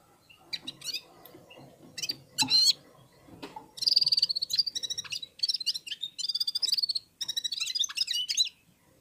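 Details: Red-fronted serin (Serinus pusillus) warming up in song among other birds: a few scattered high chips lead into long, sizzling, rapidly pulsed trills with twisting whistled notes, delivered in phrases separated by short gaps.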